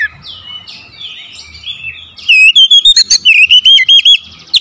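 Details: Oriental magpie-robin song used as a lure to get a sluggish bird singing: soft, varied warbling phrases, then a loud run of sharp, ringing whistled notes repeated rapidly in a fast stutter.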